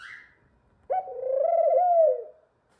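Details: Young male pet ringneck dove reaching puberty, indoors: a brief high squeak, then after a pause a long, low, throbbing coo that wavers slightly and fades after about a second and a half.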